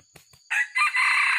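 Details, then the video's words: Genuine white-legged red junglefowl recorded for luring: a loud, harsh crow in two parts, a brief rough opening burst, then a longer strained, sustained note, over a faint high insect drone. "MIKAT AYAM HUTAN ORI KAKI PUTIH"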